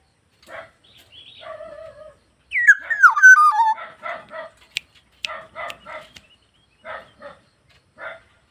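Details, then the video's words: Black-naped oriole: a few nasal notes and a level whistle, then a loud, mellow, stepwise descending fluty phrase, followed by a steady series of short harsh buzzy calls. "BURUNG PODANG GACOR"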